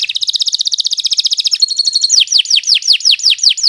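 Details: Canary (Kenari Nusantara) training song, loud and unbroken: a rapid buzzy trill, then a series of descending whistled sweeps repeated about three times a second.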